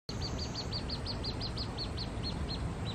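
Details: Juvenile little grebe on the Tama River, 20 July 2024: a rapid, even run of high, thin peeps, about fifteen in three seconds, with a steady low rumble of background noise throughout.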